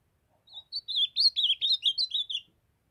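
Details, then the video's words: Ultramarine grosbeak, a young brown-plumaged bird singing the Nordeste song, gives a brisk sequence of around ten sweet whistled notes, starting softly and growing louder, each note curling downward. A faint low tone sounds just before it. "Azulão jovem cantando fenômenal❤O lindo canto azulão do Nordeste"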